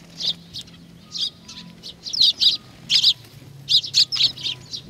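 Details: Sparrows come to be fed at Tenmangu, Nakanoshima, 21 June 2020; short high chirps in loose clusters, growing louder and denser toward the end, with a faint low hum.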